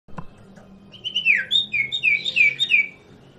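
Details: Sirtu, or cipoh, the common iora, singing as a lure meant to prompt other birds to answer: a quick run of about eight clear whistled notes, each sliding downward, over a low steady hum.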